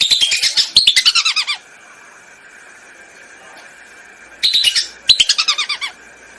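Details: Hunting lure recording of lesser whistling ducks: two clusters of fast, thin whistles that drop in pitch near the start and end, with a quiet gap between them and a steady faint hum underneath.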